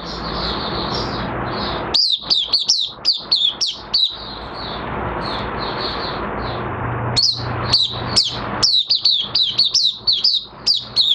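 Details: Oriental white-eye, a kept bird in minor moult, opening its song on 3 June 2022: bursts of sharp, steeply sweeping high chirps in rapid runs, separated by a steady background of soft high twittering and a low hum.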